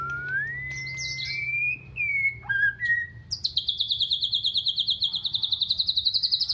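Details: White-rumped shama singing with canary-style content learned from a canary: clear rising and falling whistles, then a fast, even, buzzy high trill of repeated pulses running for over three seconds, with a low hum beneath.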